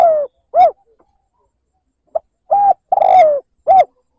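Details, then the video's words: Spotted dove giving a lure call in the liêu lỡ cooing style, used to provoke rival doves. Low, hoarse coos: two short notes, a pause, then a short coo, a longer drawn-out coo and a final short coo, in otherwise quiet surroundings. "Tiếng mồi cu gáy liêu lỡ gáy gù kích bổi"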